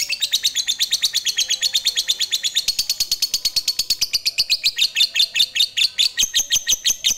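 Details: Fighter lovebird in long ngekek chatter, a song style used to provoke other lovebirds: a fast, unbroken run of sharp, high, harsh chirps, nearly three per second, which rises slightly and becomes more spaced toward the end.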